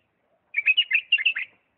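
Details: One continuous bulbul phrase from Diyala, 'lisanat' style: about a second of fluty, rapidly changing chirped notes rising and falling in quick succession.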